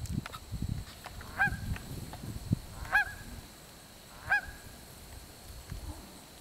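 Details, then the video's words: Geese calling in the background at Shawnee Lake while double-crested cormorants pass by; three loud honks about 1.5 seconds apart, each a harsh nasal note with a rising upper part, over low rumbling wind or handling noise. "The geese are squawking in the background."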